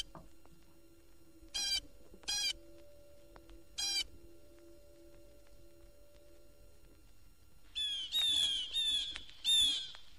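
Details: Blue Jay recorded in Florida, a bird known to join others in mobbing owls and chasing cats. Three short, harsh, ringing calls are spaced over four seconds, then a louder burst of four rasping calls, over a faint low hum.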